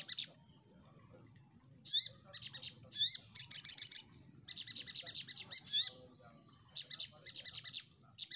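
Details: Crimson Sunbird in full song, used as a lure to provoke replies: long bursts of very high, rapid buzzy trills alternating with sharp upswept chirps, with short pauses between phrases.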